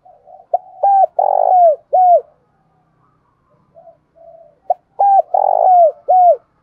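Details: Morning cooing of a spotted dove from Đồng Nai, Vietnam: two phrases about four seconds apart, each a run of short soft hoots swelling into a longer rolling coo and ending on a falling note, with quiet gaps between.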